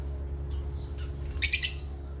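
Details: Asian parrots at playtime: faint thin chirps, then a short loud burst of harsh, rasping squawks near the end, over a steady low electrical hum.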